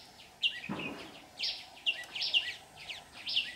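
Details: Decoy red-whiskered bulbul singing at a trap to lure birds, 15 July 2019; a few loud, bright whistled chirps, roughly one per second, after an early soft thump.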